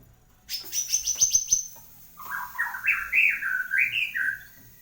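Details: White-rumped shama singing actively after moult, a kept bird: a fast series of high, sharp repeated notes, then a warbled phrase of stepped notes that rise and fall.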